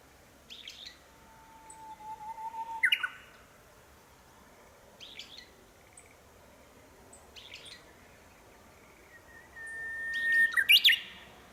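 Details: Japanese bush warbler singing near houses in Minamiboso, Chiba, Japan, April 2018, returning repeatedly to the same branch: a long steady low whistle breaking into a sharp rising flourish, later a higher held note ending in a twist, with brief high chirps from other birds.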